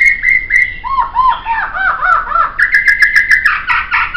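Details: A training recording of laughingthrush song, with steady high whistles, then a falling series of looped, bubbling notes, and then a sustained bright whistle overlaid with fast clicking accents.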